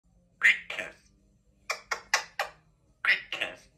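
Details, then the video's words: A pet African grey parrot indoors gives kisses and says "I love you": two short speech-like syllables, a pause, a quick run of four clipped sounds, then two more voiced syllables, in a quiet room. "African Grey Parrot gives big kisses and says I love you"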